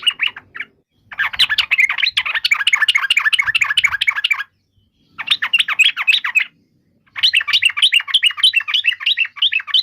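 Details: Yellow-vented bulbul pouring out long runs of rapid, lively chattering notes in three bursts separated by short pauses.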